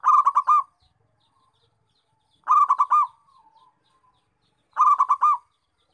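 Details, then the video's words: Zebra dove calling steadily: three rolling phrases of rapid stuttering coos repeated roughly every two seconds, each phrase ending in a longer note, with quiet low murmurs between phrases. "Perkutut GACOR MEMANGGIL"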